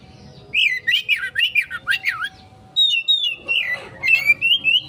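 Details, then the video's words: Oriental magpie-robin lure song, used to draw a fast reply, with a run of loud swooping whistled notes followed by a second burst of clear, slightly descending whistles and varied chirps, faint low hum in the background. "Pancingan Burung Kacer konslet,respon cepat...!"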